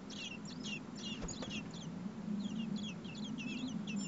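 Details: Hungry common blackbird nestlings, four in a nest, calling as the parents feed them in over 30 °C heat; quick high squeaky notes in short bursts, with a steady low hum and a couple of clicks.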